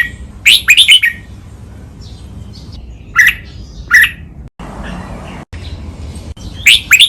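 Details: Red-whiskered bulbul training song in the double, counted-phrase 'lak wai' master style: a rich burst of rolling whistled notes, then single sharp chirps spaced a second apart and another whistled flourish at the end, with faint background hum.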